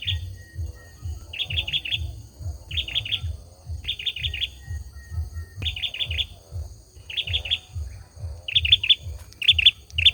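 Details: Olive-backed sunbird male sings a long series of short three-to-four-note phrases, high and rapid, about every second, over a steady low pulsing hum.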